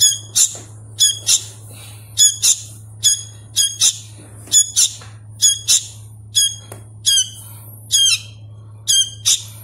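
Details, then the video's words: Young hand-reared Sooty-headed bulbul, still learning to call, repeats scratchy, harmonic-rich squawks about once a second, some doubled, with a constant low electrical hum underneath. "suara asli kutilang anakan | burung kutilang loloh"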